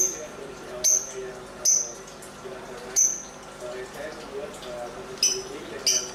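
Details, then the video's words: Lovebird dancing and calling: short, piercing, high chirps come in irregular pairs and singles every second or so, over soft lower chatter. "Suara indah burung lovebird sambil menari nari"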